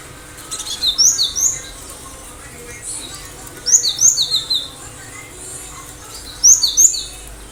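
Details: Cinereous tit in full song with sharp bursts, played so other birds respond and imitate: three separated phrases of fast, high, thin downslurred notes, a few seconds apart.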